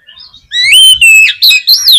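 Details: Oriental magpie-robin singing, a recording meant to spur a caged magpie-robin into song: a brief rich phrase of long clear whistles, one level then dipping, followed by quick rising and falling slurred notes.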